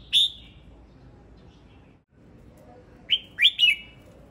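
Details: Singing male red-whiskered bulbul: a single loud whistled note, a silent gap, then three quick bright slurred whistles in a tight cluster. Surroundings otherwise quiet.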